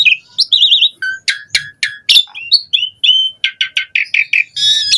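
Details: Asian pied starling song used as a lure to prompt other starlings to sing: a rich, varied run of whistled warbles, short chirps and harsh notes, including a wavering trill early on and dense rapid notes at the end.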